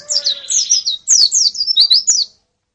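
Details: Female white-eye and colony calls, played as therapy to spur a male's singing: a quick run of high, thin, down-slurred chirps in bursts, a brief pause near one second, then more chirps ending abruptly.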